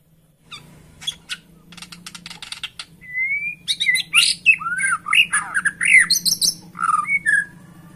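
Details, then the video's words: Lure song of a white-rumped shama, played to provoke caged birds into vigorous singing: a rapid jumble of harsh squawks, ticks, buzzy notes and looping whistles, with a low hum underneath. "PANCINGAN MURAI BATU AGAR BUNYI NGOTOT DAN BONGKAR ISIAN"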